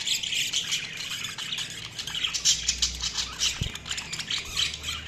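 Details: Budgerigars chirping: a dense, continuous chatter of short scratchy chirps and squawky notes overlapping throughout, with a brief low thump near the middle.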